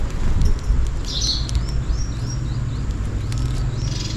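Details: Sparrows calling for food on a rainy day: a few short chirps and rising whistled notes, somewhat faint, over a steady low rumble with scattered ticking sounds.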